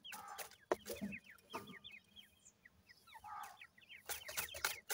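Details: Group of grey francolin chicks, male and female, called gora and dakhni teetar locally. Thin descending peeps come in quick overlapping bursts, mixed with clattering thumps and rustling close by.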